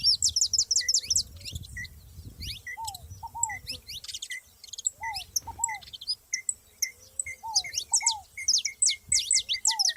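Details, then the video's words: Several saffron finches in nature chirp in fast, high, piercing series. A lower double downslurred whistle returns about every two seconds, and a faint low rumble is heard at the start. "canário da terra junto na natureza"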